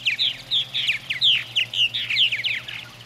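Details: Purple martin chicks in a gourd nest near Lacombe, Alberta, Canada, being fed by their parents in 2017, give loud rapid raspy chirps several per second, with a low hum behind.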